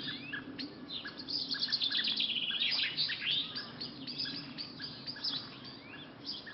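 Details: Garden birds at lunchtime, a lively high twittering song with fast trills and chirps building in the middle and then thinning out, short repeated notes beneath, and a faint low hum in the background.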